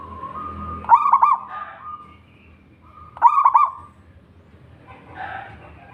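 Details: A local wild zebra dove singing strongly, its voice used to attract and prompt other doves: two clear bubbling, trilled coo phrases about two seconds apart, followed by a softer blurred call.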